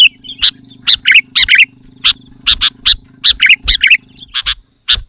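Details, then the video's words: Loud, rapid sooty-headed bulbul song meant to attract wild birds and provoke rivals: sharp, bright chirps and slurred two-note phrases about twice a second, with a constant low droning hum behind. "Suara Burung Kutilang Gacor Rapat dan Lantang Menekan Lawan Kutilang lain Langsung ikut gacor"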